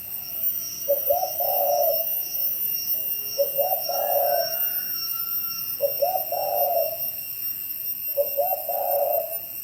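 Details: Spotted dove from Bảo Lộc, Lâm Đồng, calling in the 'gáy thúc' style: four two-part coo phrases, a brief soft note then a drawn-out mellow coo, spaced about every two and a half seconds, with a constant faint high hum behind.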